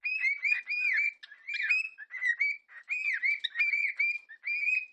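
Cockatiels whistle and chirp in a lively, overlapping stream of bright, warbling notes.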